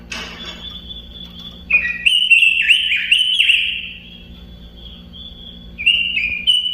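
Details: Robin singing a bright whistled phrase: a long steady note, then a run of quick warbled notes that slide downward, and a short pause before two brief rising whistles. A low steady hum sits underneath.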